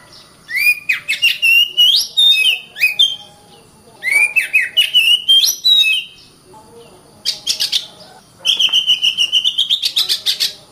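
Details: Oriental magpie-robin (kacer) repeating two similar phrases of rising whistles and clicks, separated by pauses, then breaking into a long run of rapid pulsed notes.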